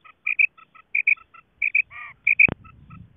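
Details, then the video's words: Female quail call from Pakistan's Khyber Pakhtunkhwa, used in quail hunting to draw birds in: crisp high double notes, each pair loud then soft, plus a brief buzzy note and a sharp click. "Madi batair ki Awaz"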